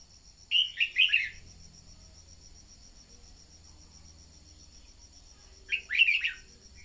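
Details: Lure song of a red-whiskered bulbul, played to get other birds singing: a quick warbled phrase of several slurred notes, then silence, then a second similar phrase five seconds later, with a constant high whine behind.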